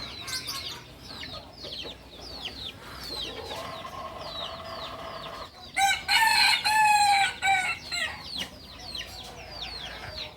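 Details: Kukuak balenggek rooster from Solok, West Sumatra, gives a loud harmonic crow broken into several stepped segments near the middle, set against many quick downward-sweeping chirps from other birds throughout.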